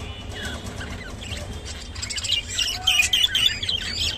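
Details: A pet rainbow budgerigar is quiet at first. About halfway through, it breaks into rapid, high-pitched twittering chirps that grow louder toward the end.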